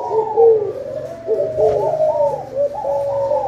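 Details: Spotted dove calls, said to herald a full harvest: steady layered low coos, soft rising and falling phrases overlapping without a break over faint background hum.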